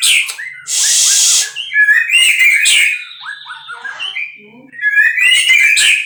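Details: Captive-bred white-rumped shama singing: varied clear whistled phrases, bright and slurred, broken by a loud harsh rasping burst near the start and scratchy chatter notes toward the end.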